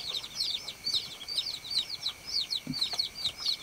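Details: Shrill, arched peeps from several baby chickens follow one another closely in an irregular chatter, with a brief low knock near the end.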